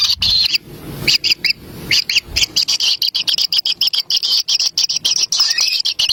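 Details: Nestling kingfishers in the wild beg as a parent feeds them a black lizard at the nest; high chirps build into fast, dense, repeated harsh notes, near-continuous toward the end.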